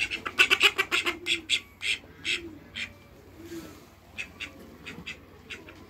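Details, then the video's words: Call ducks kept alongside a newly met pair of Muscovy ducks: a quick burst of loud, harsh, nasal quacks packed into the first two seconds, then sparser, softer quacks trailing off with faint background noise. "CALL DUCKS"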